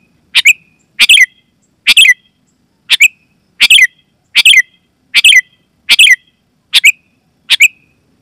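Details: Sooty-headed bulbul, loud and clear, used to lure wild bulbuls in the forest and to set kept bulbuls singing: short bright chattering bursts, single or doubled, repeated roughly every second over a quiet background.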